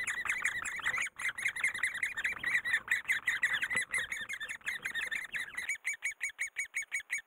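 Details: Great spotted woodpecker in Korea, raising young: several overlapping squeaky calls in a busy stream, thinning after five seconds into single sharp notes repeated evenly about two to three per second.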